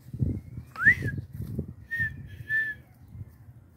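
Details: Red-winged tinamou giving a loud whistled call: one sharply rising note, then two level, sustained whistles in quick succession, over low rumbling handling noise and soft thuds.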